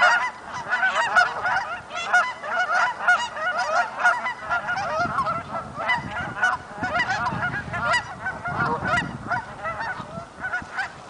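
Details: Canada geese during migration, a large flock honking continuously: many overlapping nasal honks blending into a steady chorus, with a low rumble underneath.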